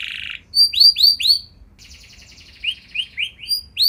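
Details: Canary singing to provoke rival canaries into replying. A brief buzzy note opens, followed by a few separate high downward-slurred whistles, a soft fast murmuring trill, then more spaced slurred notes.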